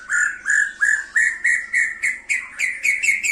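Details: A white-rumped shama challenging a rival repeats a clear whistled note about ten times, roughly three per second, each slightly higher and more emphatic than the last.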